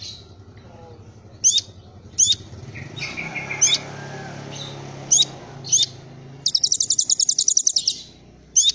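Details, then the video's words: Kolibri Ninja singing in the Cililin-filled style: sharp, high, downward-sweeping chirps repeated about every second, a lower buzzy phrase, and a fast rattling high trill near the end. A low hum sits underneath. "Kolibri Ninja Isian Cililin"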